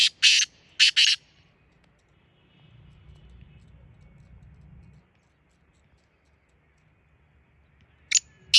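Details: Black francolin (kala teetar) calling: three loud, harsh, rasping broadband notes in quick succession at the start, a quiet stretch with low rumbling noise, then two more harsh notes at the end.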